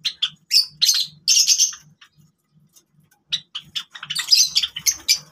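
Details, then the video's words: Java sparrows playing with grass give short, high chips and squeaky chattering notes in uneven bursts, with a brief quiet gap midway and a faint low rhythmic hum underneath. "java sparrows | java finches | birds voice"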